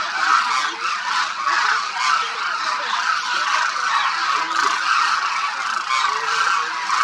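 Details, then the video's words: Demoiselle Cranes by the thousands at Khichan Bird Sanctuary in Rajasthan's winter, their calls filling the air as a loud, continuous wall of honking, with occasional distinct lower trumpeting notes. "The sound of thousands of Demoiselle Cranes echoes across Khichan Village, Rajasthan"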